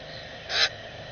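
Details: Common grackle baby calling while being fed by a parent, recorded on a bird camera. A single short, harsh, raspy squawk lasts about a fifth of a second against a steady background hiss.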